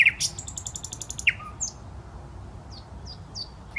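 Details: A common nightingale sings in a park on the Smolenka, Saint Petersburg: a quick high trill and a couple of sharp notes, then soft thin downslurred whistles spaced apart, with low ambient hum.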